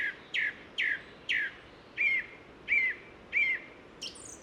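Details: Song thrush singing in sunshine along a hiking trail in the Ossau valley, Pyrenees, France: a short sharp phrase repeated three times, then a clearer whistled, slightly down-slurred phrase also given three times, ending with a high thin note.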